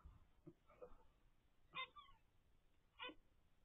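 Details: A captive ten-day-old zebra finch nestling from its parents' first clutch gives two short, harsh, buzzy calls about a second apart, after faint soft murmuring at the start.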